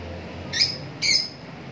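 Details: Lovebird producing two quick, harsh, high squawks about half a second apart against a quiet, low hum.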